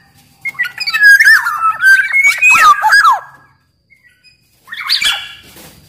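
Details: Black-naped oriole (kepodang) in full song, used as a master track to prompt reluctant orioles to sing: slurred whistles near two kilometres of pitch mixed with harsh, buzzy notes over three seconds, a pause, then a short rasping burst.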